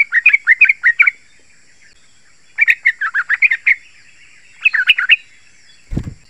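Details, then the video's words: Yellow-vented bulbul song for luring and stimulating other bulbuls: three bursts of rapid, bubbly warbled notes separated by pauses, ending with a low thump. "Trucukan Gacor Rapat Suara Tajam ini 100% BERHASIL | Ampuh Untuk Pancingan trucukan agar bunyi GACOR"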